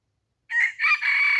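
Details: Red junglefowl decoy rooster crowing to lure wild junglefowl: a single loud harsh crow in broken phrases, a short first burst followed by a long sustained strained note, with nothing else heard.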